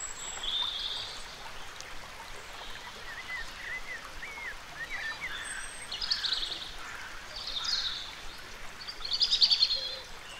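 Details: Dipper (Cinclus cinclus) diving and foraging under water in a fast river, giving short, sharp, buzzy high calls in scattered bursts over the stream's steady rush, with faint chirping notes between.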